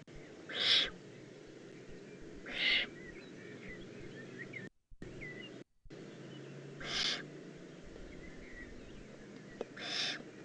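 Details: Juvenile Eurasian eagle-owl in the Eifel, recorded 18 June 2016: harsh, hissing broadband screeches, each about half a second long, repeated roughly every two to four seconds over a quiet rural background.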